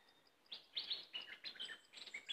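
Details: Cream-vented bulbul giving a brief burst of bright, rich chirps and slurred warbling notes in quick succession after a short quiet start.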